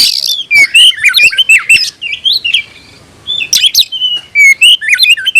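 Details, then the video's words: Fired-up oriental magpie-robin, tail fanned, challenging a rival: loud, sharp, varied whistled phrases and quick slurs, a near-silent gap in the middle, then another rapid burst of notes. "kicau burung KACER‼️gacor buka ekor dongkrak emosi panggil lawan tarung"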